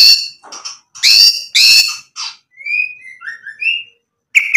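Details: A white-rumped shama used to provoke other birds to sing gives several harsh, rasping notes, then softer scattered whistled notes at varying pitch, followed by another rough burst at the end.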